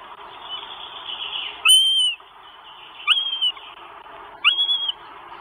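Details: Northern goshawk chicks begging their mother for food at a nest on a live camera in Estonia, 24 May 2022. Three loud, thin, slightly falling whistled whines, each about half a second, come roughly every 1.4 seconds over a steady background hiss.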